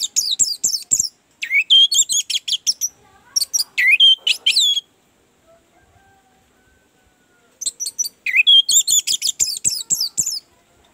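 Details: Orange-headed thrush lure song to make a reluctant bird sing: dense bursts of rapid, varied high whistles and chatters, separated by a few seconds of near silence.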